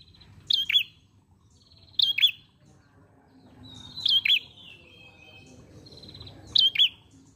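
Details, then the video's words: Ashy prinia singing a lure song: four sharp, high double-note chirps, each a bright note dropping to a lower one, spaced about every one and a half to two seconds over quiet background. "Pancingan Prenjak Pala Merah Gacor Mengalun"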